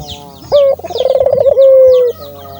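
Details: A single Barbary dove coo, used to prompt doves to call: short introductory note, a burst of fast rolling pulses, then a sustained tone sliding slightly lower. Faint bird twitters sound above it.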